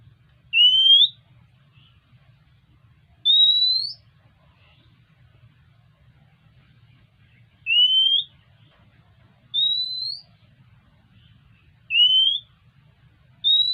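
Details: Oriental magpie-robin asking for food: loud, pure, upward-sliding whistles repeated every two to two and a half seconds, six in all, in a quiet setting.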